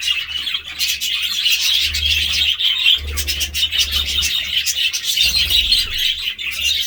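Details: Continuous high-pitched budgerigar twittering, rapid scratchy chirps and warbles from a group, with low mechanical hum pulses in the background.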